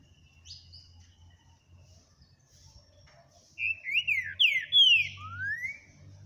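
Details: Green-winged saltator song, recorded on 9 April 2022: after faint opening whistles, a loud burst of slurred, rich whistled notes, some rising and some falling, ending on a long upward glide, over a low background hum.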